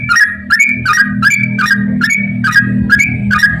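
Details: Rapid ropel song of a yellow-vented bulbul, played to make other bulbuls sing: a rhythmic string of bright bubbly notes, rising and dipping, about three per second, with a steady low droning hum beneath.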